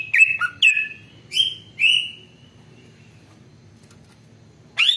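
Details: Greater green leafbird song used to warm up and tutor other leafbirds: several short, loud slurred whistles dipping and rising, then a long quiet stretch before one more note starts.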